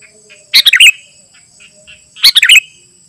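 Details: Sooty-headed bulbul song meant for calling wild birds and tutoring: two brief, chattering phrases of bright notes ending in slurred downward whistles, separated by quiet, with a thin steady high hum throughout.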